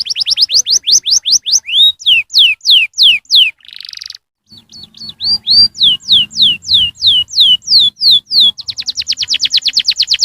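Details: Canary song meant to prompt young canaries to sing, made of rapid repeated downslurred whistled notes in runs, a short harsh buzz, then more whistled phrases and a fast rolling trill.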